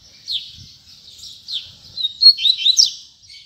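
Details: Double-collared Seedeater (coleiro) singing during the last puxada, or singing session, of 2019: high, thin slurred notes, then a quicker run of sharp, rising and falling whistled twitters toward the end.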